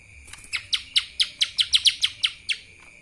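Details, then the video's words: Loud kapas tembak style song from a lesser green leafbird: around ten crisp, falling chirps in quick succession, closely spaced in the middle of the phrase, against a faint steady tone. "CUCAK ijo mini Fulll suara KAPAS TEMBAK...!"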